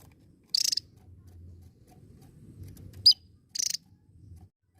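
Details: Javan tesia, singing vigorously: a short buzzy burst, a piercing downward-slurred whistle, another brief rattle, and a last sharp note, over soft low background noise.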